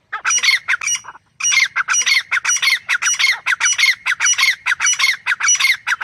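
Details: Grey francolin giving a long run of harsh, grating, rapidly repeated squawks, with a brief pause after the first second and then steady loud calling for the rest of the clip.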